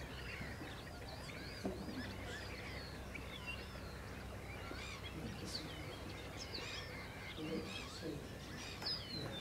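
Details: Pied avocets at Rye Harbour Nature Reserve give a busy chorus of short, clear, yelping notes that overlap constantly, with other waterbirds calling in the background over a low rumble of wind or distant traffic.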